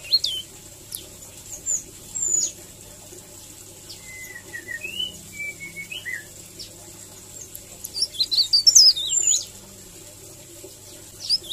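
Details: Melodious, rolling leaf warbler song used as a tutor recording: scattered thin, high notes, then a dense burst of fast twittering; a few lower, softer whistled notes sound in between.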